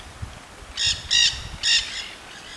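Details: Wild Nanday parakeets in Solstice Canyon, Malibu, California, filmed on 9 March 2017: three harsh, raspy squawks in quick succession, each short and grating with rich overtones, the last slightly longer, over a quiet outdoor background.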